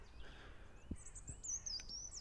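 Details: A European robin, possibly about 15 ft away in trees, sings a thin, high, wavering warble sounding slightly sad and plaintive, fairly faint, over soft low background thumps.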